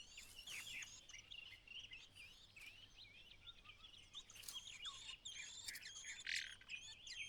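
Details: White-browed laughingthrush mother calling from outside the nest to coax her only chick out on its fledging day. Busy run of short, high chirps and twittering notes, some rising or falling, overlapping and continuous throughout, with faint background noise.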